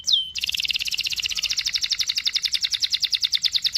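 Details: Canary singing to prompt a young bird to learn: one sharp falling whistle, then a long, even, buzzy rolling trill.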